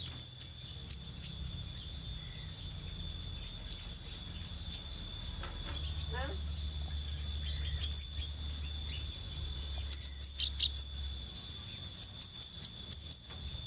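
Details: Scarlet minivet lure: a long sequence of high, thin, clipped notes in scattered groups, ending in rapid bursts of five or six notes, over a constant tone.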